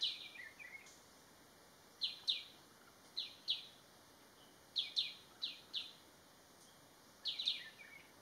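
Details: Crested goshawk giving short, shrill, down-slurred notes in pairs and small bursts with pauses of a second or more, against a constant thin high hum.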